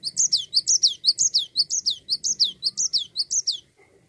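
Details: Gacor cinereous tit singing nonstop, kept to prompt other songbirds into song: a steady run of high sharp descending notes, about two per second, continuing for nearly four seconds before stopping.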